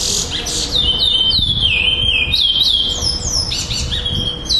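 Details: Competing in a Florianópolis singing tournament on 11-12-2011, a black male chestnut-bellied seed finch that placed second delivers rapid looping whistled notes, falling then climbing in a smooth run, over a low room hum.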